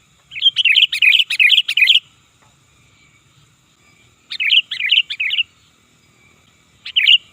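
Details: Sooty-headed bulbul calls used to lure birds: loud, bright chirping phrases of quick rising and falling notes, a long burst of about eight notes, then a shorter run of four and a single final note, with a quiet background.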